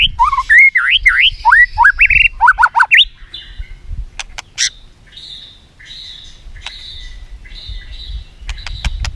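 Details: White-rumped shama singing a song used to train other shamas: quick looping whistles rising and falling, then sparse clicks and soft buzzy notes against faint low noise.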